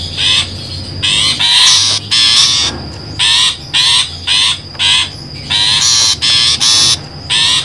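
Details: Harsh rasping calls of a long-tailed shrike, played as a trapping lure, delivered in a regular series of short grating notes about every half second, with a faint steady high whine and low hum behind.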